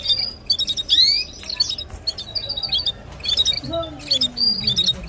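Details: Red canary singing near a nest with chicks and eggs, used to stimulate and train songbirds: dense, high twittering with rising whistles and buzzy trills, plus a low hum and a brief lower sliding sound.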